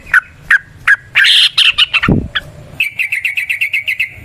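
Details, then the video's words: Wild Yellow-vented Bulbul singing a long trill, meant as a lure recording: three spaced chirps, a rough bubbly phrase and a soft thump, then an even run of quick, bright repeated notes. "Trucukan GACOR ngalas ROPEL PANJANG suara alam"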